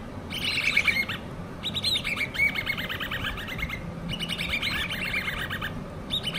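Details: Hand-reared common babbler chicks chatter in bursts of fast, squeaky, high notes, about four bursts in six seconds, over a steady low background hum.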